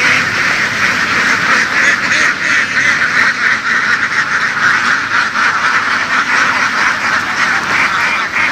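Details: A herded flock of egg-laying ducks in the fields of western Vietnam produces a continuous clamour of raspy, overlapping quacks, individual calls surfacing roughly once a second amid the dense noise.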